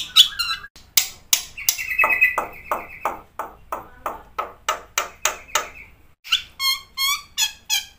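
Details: Black-winged myna (jalak putih) singing energetically in varied full song: sharp rapid chips in series, a sustained high whistle, buzzy trilled phrases and harsh notes, meant to stir other birds into singing.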